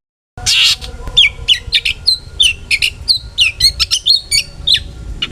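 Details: Long-tailed shrike delivering a busy song full of fill phrases, meant as a lure for other shrikes: an opening harsh burst, then a dense string of short sharp chirps and downslurred whistles, several per second.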